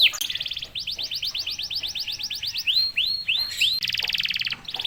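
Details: Canary song used to provoke other canaries: quieter mix of rapid trills, repeated downward sweeps and a few rising-falling arched notes, with a buzzy trill at the end.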